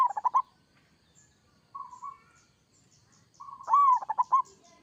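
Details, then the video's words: Local Zebra dove giving kerot song to provoke answering birds: the tail of one pulsed phrase, a short soft whistle, then a full phrase of rising note and staccato bubbling coos. "Suara perkutut lokal gacor kerot AMPUH bikin nyaut seketika"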